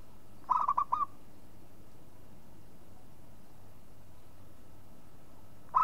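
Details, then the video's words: Local zebra dove: one quick phrase of four rolling coo notes, then a long quiet gap, with the start of another phrase at the very end. "SUARA MEMANGG PERKUTUT LOKAL"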